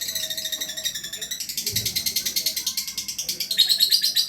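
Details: Lovebird in full gacor song: a long run of rapid, harsh chattering notes, high and buzzy, pulsing about three times a second and growing louder toward the end.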